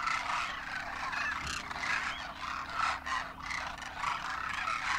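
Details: Great numbers of Demoiselle Cranes wintering in Rajasthan, India, adults and first-year juveniles, calling as they fly; overlapping rolling trumpets pulse in waves, with clearer individual notes rising above the chorus.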